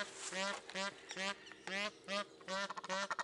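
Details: Egyptian geese calling in a bird garden at a zoo in Upie, Drôme, France: separate bursts of harsh, buzzy honking, each paired with a short low note, repeated roughly every half second.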